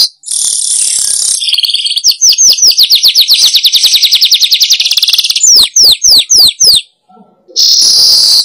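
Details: Weaver lure call for attracting wild weavers: a shrill whistled tone opens into a rapid run of high chirps, then a few slower, separate downslurred notes, a pause, and another shrill tone.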